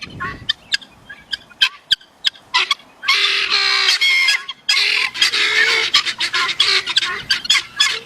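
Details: Guineafowl calling: scattered sharp clicks and single harsh notes at first, then a loud, continuous grating chorus of rasping, rapidly repeated calls with a faint low hum beneath.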